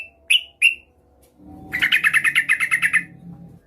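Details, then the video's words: Calling female yellow-vented bulbul used as a lure for males, with two bright notes followed by a fast even series of about twelve chattering notes over a low hum. "Suara burung trucuk gacor memanggil lawan pancingan trucukan betina memanggil jantan agar bunyi"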